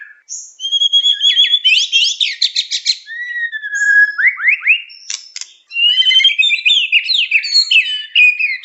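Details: White-rumped shama (murai batu) singing vigorously for a lure recording: rapid trilled sweeps, a long falling whistle, sharp clicks, then dense, varied warbling.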